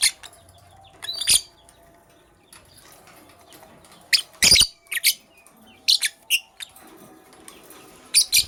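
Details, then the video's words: Morning calls from lovebirds of the Sky Blue Opaline and Cobalt colours: repeated shrill, rasping squawks arrive in irregular clusters, some doubled, against a quiet background. "Lovebirds Chirping Sounds"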